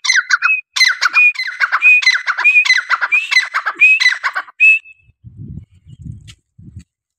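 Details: Grey francolin, called teetar, in a long rhythmic calling bout: rapid chattering phrases, each capped by a ringing whistle, repeated steadily for about four seconds, then a final whistle and some low rumbling noises afterward.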